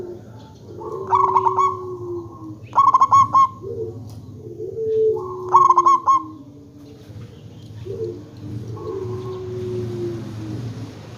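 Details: Zebra dove of a local type, used to prompt other zebra doves to answer: three bursts of fast, bright cooing notes, interleaved with lower, slurred, falling coos from another bird and a constant low hum.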